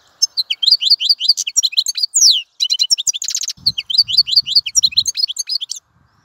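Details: Continuous European goldfinch song: quick sequences of bright, high, chattering notes with downward slurs, a dense buzzy burst near the middle, then more twittering before falling silent.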